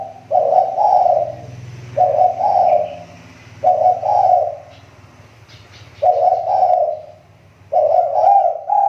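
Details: A lure spotted dove, recovering its voice: five evenly spaced husky coo phrases, each doubled, over a low rumbling hum in the background.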